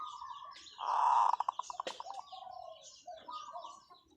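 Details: Zebra dove used as a decoy bird, giving long calls in a light voice: one loud cooing note breaks into a quick rattling series of staccato coos that fades out, with other dove coos and chirps around it.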